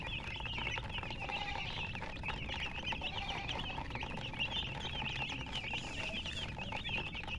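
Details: Several chicks with their hen chirp nonstop, rapid high peeps overlapping into a busy chorus, with light scuffling and background noise throughout.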